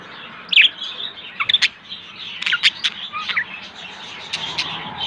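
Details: A breeding pair of white budgerigars, with the hen laying eggs, chatter in short, bright chirps and scratchy warbled notes, in irregular bursts over a faint steady background hiss.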